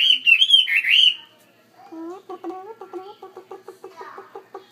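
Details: In a bigger cage, a Chinese hwamei opens with a loud, rich warbled whistle lasting about a second, pauses, then repeats short clipped notes several times a second, steadily fading.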